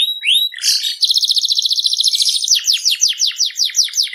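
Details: Seri FI canary singing strongly: brief whistled upslurs, then a fast buzzy trill of rapid pulses, ending in a series of sharp descending chips repeated about four per second.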